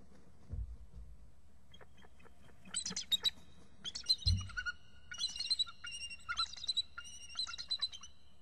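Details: Two adult eagles calling excitedly at their nest before flying off together to a nearby tree, a young eagle perched close by: high, harmonic piping chatters in several bursts, each a rapid run of notes, with a few low thumps early on.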